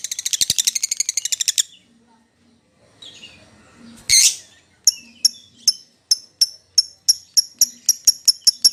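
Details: Lovebird calling out to its companion or a rival as a lure: a fast buzzy chatter for under two seconds, a quiet gap with one loud harsh squawk, then a regular series of sharp chirps.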